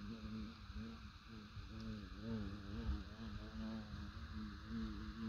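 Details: A voice speaks steadily over the low, continuous drone of a motorboat engine, with no animal calls heard.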